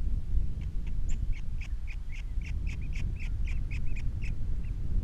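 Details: Nest-camera recording of an osprey at its Captiva nest with three young, 21 February 2022: a fast series of short, sharp, slightly slurred chirps repeated several times a second, against constant low roaring noise.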